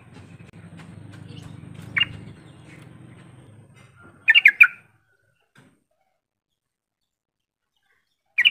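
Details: A yellow-vented bulbul gives one quick burst of several bubbly chirps, with an isolated note before it and another at the end. The call serves to stir silent bulbuls into answering. A low rumble fades early, then near silence.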